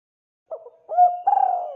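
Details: Spotted dove, a frequent caller recorded as a lure: a brief low note followed by a rising hollow coo and a long, buzzy, trembling coo that carries to the clip's end.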